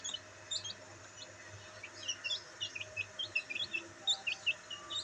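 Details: Several black bantam chicks in sunlight, chirping somewhat faintly over a hissy background: scattered high, short downward-slurred peeps, roughly two or three a second in loose clusters, with a low hum throughout.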